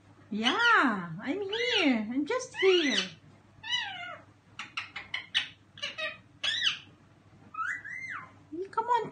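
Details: A male Indian Ringneck parakeet, 10 months old, free-flying indoors, chatters in bursts of mimicked speech and affectionate talk, with wavering warbled phrases, sharp squeaks and a low hum behind.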